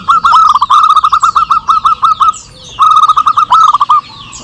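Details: Zebra doves of a local strain call back and forth for luring. Two rapid trains of bright, bouncing coo notes come one after the other, each slowing slightly toward its end, with faint high chatter behind.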